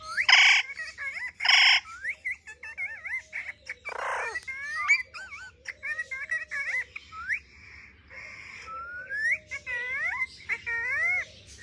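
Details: Parrot indoors playing with a mobile phone, mixing loud harsh squawks with long sequences of wavy, speech-like whistled phrases, rising sweeps and chattered syllables, quieter squeaks in between.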